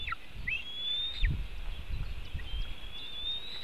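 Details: Nest webcam in Latvia, 4 July 2018 at 5:08 pm, one white-tailed eagle stealing fish from another; thin rising-then-steady high whistles with short falling slurs, low rumble behind.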